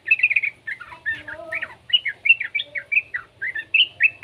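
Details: Juvenile yellow-vented bulbul singing to provoke song from other bulbuls. It delivers loud, quick, bubbly notes in short bursts, with a few lower, drawn-out slurred sounds midway, over a faint hum.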